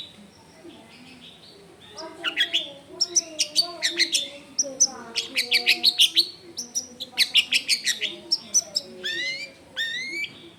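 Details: Long-tailed shrike, actively singing a rich medley of filler phrases, recorded at home in a busy neighbourhood. After quiet opening notes, dense trains of sharp, rapid ticks and chips run into rising, harmonic squeaks. A low steady hum sits beneath.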